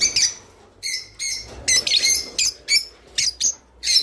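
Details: Java sparrow song used to encourage pet birds to mate: short, bright chirps spaced about every third of a second, some with a clear whistled tail, in a quiet setting.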